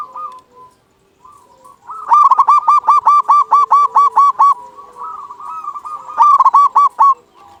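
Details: Local zebra dove in full song, used to coax quiet doves to sing: a soft rolling phrase, then a long run of about a dozen loud, evenly spaced staccato coos, then another soft phrase and a short loud burst.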